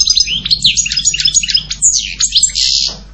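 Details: Continuous twittering song of a European goldfinch, a fast jumble of high tinkling notes, sharp slurs and trills, finishing with a harsh buzzy rattle; steady faint low hum in the background.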